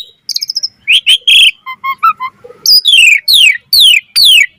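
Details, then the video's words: Lively Asian pied starling song with a full repertoire, meant for training other starlings: quick stuttered notes, bright whistles, short chirps, then four loud falling slurred whistles about half a second apart. "Jalak Suren Gacor Full Isian Cocok Buat Masteran Suara Burung Jalak"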